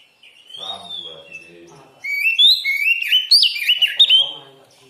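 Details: Kacer, the Oriental magpie-robin, in a recording meant for training and morning and evening therapy: a soft drawn-out whistle over low murmuring voices, then a loud run of bright warbled whistles that jump and twist in pitch.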